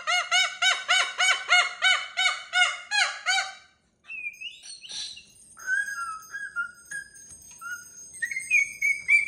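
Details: Pet cockatoo playing on a TV stand with a mirror gives a fast run of rhythmic, harmonic giggling bursts for about four seconds, then softer scattered chirps and squeaks.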